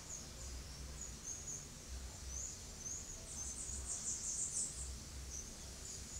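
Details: Blue-black grassquit recorded 20 November 2019 in São Paulo, Brazil, gives a very high, thin buzzy note lasting about a second, over a steady insect-like hiss and a low background rumble.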